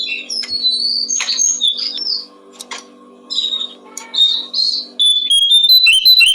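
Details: Tutor recording of a Brown-streaked flycatcher for teaching songbirds. Bursts of sharp high chirps and slurred notes alternate with brief gaps, ending in a run of clear thin whistles. A faint low hum sits underneath.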